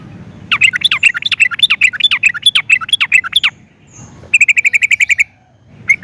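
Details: Yellow-vented bulbul lure song: a three-second cascade of rapid notes sweeping up and down, then a short even trill of repeated chirps and a lone closing note.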